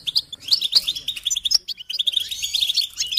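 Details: Goldfinch song from a tape for encouraging songbirds: bright, quick chirps and short sharp whistles, a brief pause, then renewed rapid twittering with a faint low hum beneath.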